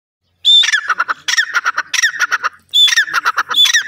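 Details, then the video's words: Teetar, a francolin, giving loud harsh squawking phrases, each opening with a high whistled note and followed by rapid rasping notes, in bursts roughly every second with brief pauses. "Teetar Awaz,Teetar pakshi, titur ki Awaz,dakhni teetar ki boli"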